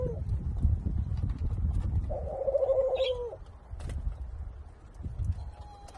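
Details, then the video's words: A Senegal dove × ringneck dove hybrid, possibly second generation, in Thailand, gives a soft, rolling, mid-pitched courtship coo lasting just over a second, with a brief note before it, over a steady low rumble. "Senegal dove-Ringneck dove Hybrid Courtship"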